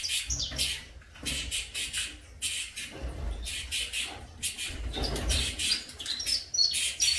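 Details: Saffron finch chicks in a captive breeding facility giving rapid high chirps in bursts, mixed with broadband scratchy sounds and low rumbling handling noise.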